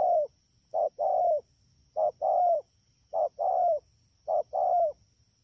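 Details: At Đak Tô on 3 October 2019, rainy season, a wild-caught spotted dove gives four evenly spaced two-part coos, a short note then a fuller falling one, about once a second, with a faint high tone behind.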